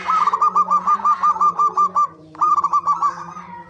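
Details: Zebra dove used as a lure so birds sing actively: a loud, fast string of ringing coo notes, about four per second, stops briefly, then a second burst of the same rolling cooing follows over a low background hum.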